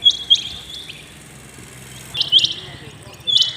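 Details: Rain quail call early in the morning: clipped high double notes at the start, a quiet gap, then two more bursts of sharp metallic notes, with low rumbling noise beneath.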